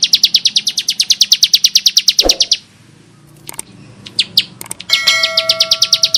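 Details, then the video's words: A bar-winged prinia in full, rough-voiced song used as a training lure gives a fast, harsh run of high chipping notes, about three per second, then scattered chips and a thin, steady whistled tone. "Ciblek Sawah Gacor Suara Kasar Mantab"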